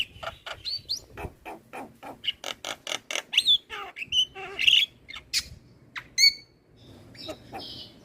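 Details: Lively Javan myna song used to train other mynas: a fast run of dry, clipped chattering notes about four per second, followed by bright whistled slurs and squeaky, scratchy phrases.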